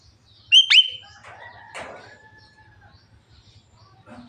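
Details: Javan myna, a caged bird described as talking until it coughs, giving two sharp whistled notes with harmonics, then a drawn-out level whistle and a rasping burst, with faint low hum beneath.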